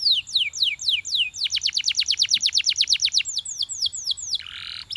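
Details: Belgian canary singing to encourage other canaries to sing: loud downward-sliding notes, a long run of rapid repeated sweeps, slower falling whistles, then a short buzzy burst.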